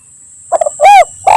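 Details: Fragment of a spotted dove trapping lure in 'Kuk 1 Mersik' style: three quick soft notes, a loud drawn-out rough coo, then the start of another coo, with a steady high tone behind.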